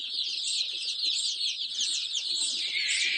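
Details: Roughly 500 young chicks cheep all at once, a steady mass of piercing, slightly slurred high peeps with no pauses, plus faint low clucking in the background.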